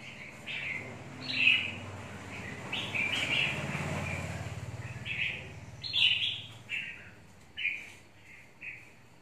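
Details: Red-whiskered bulbul of the mộc type, caged and aggressive; short, clear, bright chirped notes spread through the clip, one strong phrase near the middle, over a low, steady rumble.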